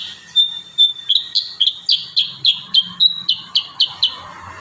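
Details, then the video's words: Kurincang in energetic rapid-fire song for tutoring cage birds: a fast, tight series of about fourteen clipped, high whistled notes, some slightly slurred, delivered several per second over faint low noise. "Masteran burung kurincang tembakan rapat"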